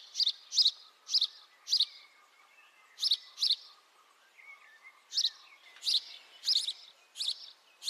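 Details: House sparrow chirping, recorded with a high-quality microphone: loud, short, harsh chirps in bursts of four or five, spaced about half a second apart, separated by brief pauses, with a faint steady tone and softer twitters in the background.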